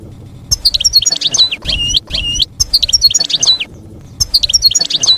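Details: European goldfinch in field-style campero song for educating young birds; repeated phrases of jangling high twitters mixed with clear upslurred notes, each phrase about a second long with short pauses.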